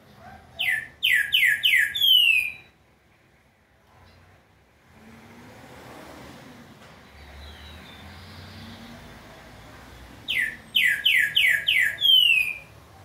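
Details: Captive green-winged saltator on Thursday 25 August at 3:30 pm, singing a loud, rich phrase of four or five descending whistled notes, given twice about ten seconds apart, with a faint low rumble between.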